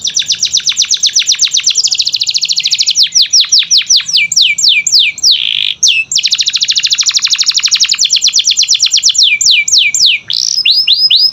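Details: Continuous canary song aimed at making quiet canaries sing: long, loud, fast trills of high repeated notes alternate with slower falling sweeps and buzzy rolls, with only momentary breaks.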